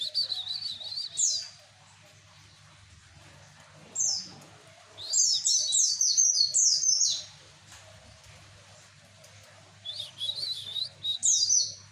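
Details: White-eye from East Java singing to lure males: rapid, high, chattering phrases of quick rising and falling twitters, one brief burst near one second, another near four seconds, a longer run from five to seven seconds, then more twittering near eleven seconds.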